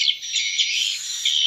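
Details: Swiftlet lure for swiftlet houses combining a BJ-style roosting (inap) sound with calls of a parent colony: a continuous, dense wash of high chattering twitters.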